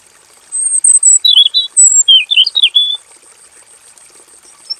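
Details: A male Pekin robin in a simple aviary sings a rapid, high warbling phrase of bright whistled and chattered notes lasting about two and a half seconds, over faint background hiss.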